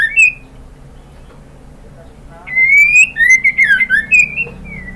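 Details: Calling female White-rumped shama summoning a male: a brief whistled note, a quiet gap, then a sustained rising whistle followed by a rapid chain of slurred, up-and-down whistled notes, fading at the end.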